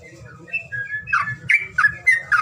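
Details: Bird lure call for a bird that will not sing: thin whistled notes followed by a few harsh, bending squawks, with a steady low hum behind.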